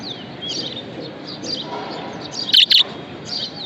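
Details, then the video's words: Happy pet budgie chattering softly with thin, sliding warbles, then a single loud, bright double chirp late on before the quiet twittering resumes. "Happiness Budgie"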